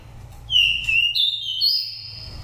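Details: Oriental magpie-robin, a nest-raised five-moult bird from Daklak, used as a lure voice: a single sweet whistled phrase, dropping slightly, then leaping to higher sustained notes.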